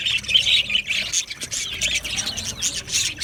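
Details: Budgerigar flock chatter, Australian parrots: busy high chirps and scratchy warbles layered together, pulsing in quick irregular bursts without pause.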